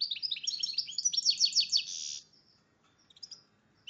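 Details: Song of a goldfinch and red agate canary hybrid in breeding condition: a rapid, dense trill of high twittering notes lasting about two seconds, followed by a few faint scattered chirps.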